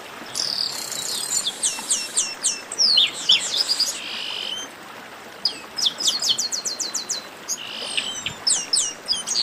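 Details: Chestnut-capped blackbird (garibaldi) in a noisy group chorus called a 'baderna': rapid series of high, sharply down-slurred whistled notes in quick bursts, overlapping buzzy trills and chips, with pauses of quieter background between bursts.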